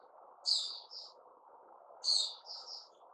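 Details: White-crowned shama with new feathers after its moult gives two short, bright, high phrases about one and a half seconds apart. Each is a sharp chirp followed by a lower trailing note, over a steady low hum.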